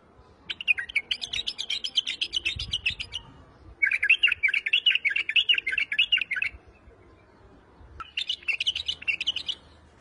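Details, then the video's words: White-eared bulbul, wing-flicking, sings three sustained runs of rapid chirping, warbling notes, each lasting two to three seconds and separated by brief silences, the middle run loudest and most continuous. "بلبل ابيض الخدين بس طك جنح"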